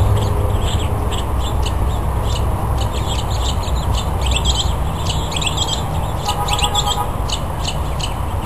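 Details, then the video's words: Male northern mockingbird singing and dancing to attract a mate at the Cal State Fullerton Arboretum: varied high chattering and chipping phrases in quick succession, under strong low traffic-like rumble. "Male Mocking Bird Attracting a Mate"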